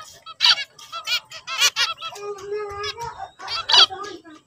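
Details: Zebra finch singing: a run of nasal, buzzy stacked notes in quick succession, a steadier low honking tone in the middle, then more bright, harsh bursts toward the end.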